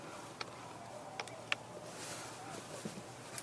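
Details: Quiet background hiss with a few sharp clicks or ticks, and no animal voice.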